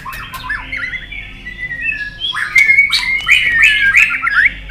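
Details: Long forest-voice fighting song of a white-rumped shama, sung to rouse another shama while it flicks its tail. Soft flat whistles build into louder, quick flourishes of bright warbled notes rising at the end.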